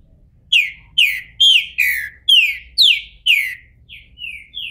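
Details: Bald green-winged saltator, captive-bred in Brazil and coming out of moult, sings a string of about six loud, clear whistles, each sliding downward, about twice a second. Three softer, shorter whistles follow.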